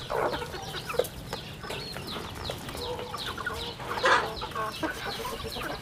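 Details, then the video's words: Chicks calling on a rural chicken farm: continual thin descending peeps from several birds, punctuated by louder clucking bursts near the start and around four seconds. "Good chicks sounds in the farm"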